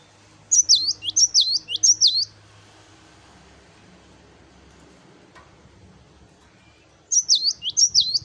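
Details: Cinereous tit in vigorous 'wucit wucit' song: three sharp high swooping whistled phrases in quick succession, a long pause with faint background hum, then two more phrases.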